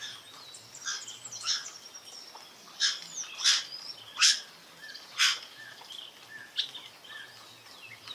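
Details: Rufous-bellied thrush singing a shy, soft song in the wild: high, clear whistled phrases and short sharp notes in scattered bursts over about eight seconds, with quiet background noise.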